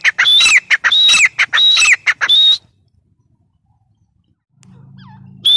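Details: Loud ringing phrases from a grey francolin (teetar), whistled high notes mixed with harsh squeaky clicks in quick succession, then silence and a low droning hum near the end.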